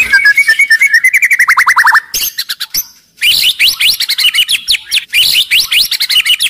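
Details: Aggressive white-rumped shama with a loud voice, kept as a lure to make other shamas sing and fight; rapid trill of repeated falling notes, then a brief pause and a fast, jumbled run of sharp whistled phrases.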